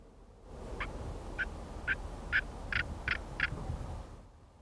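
White-quilled Bustard giving about seven harsh, rasping croaks in quick succession, speeding up slightly, over a low background rumble.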